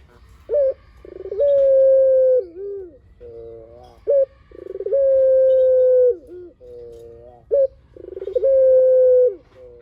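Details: Spotted dove in full long song, used to coax other doves into answering: three repeated phrases, each a short upturned note, a pulsing stutter and a long level coo with a dipping tail.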